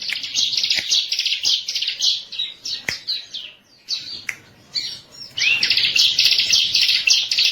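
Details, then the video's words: Bar-winged prinia (ciblek) singing in a trigger recording, with bursts of rapid, high, metallic chirps broken by brief pauses and a few clicks, then a long run of quick repeated notes at the end. "MASTER PANCINGAN BURUNG CIBLEK KESAYANGAN"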